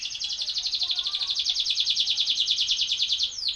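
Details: Canary singing a single long, high, fast-pulsed rolling trill that barely changes pitch, ending with a quick downward slur.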